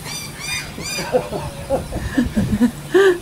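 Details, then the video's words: Pet cockatoo at home on 30 January 2013, barking in imitation of a family dog: a few high harmonic squawks open the clip, followed by a series of short, low, gruff bark-like bursts and a final louder woof. "Barking Cockatoo Woof! Woof!"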